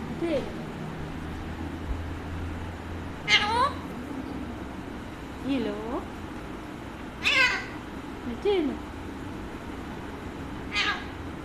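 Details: A pet Alexandrine parakeet talks, with short, harsh, rising and falling bursts of mimicked speech-like tones about every two seconds, while a person talks to it and offers food, over low household background noise.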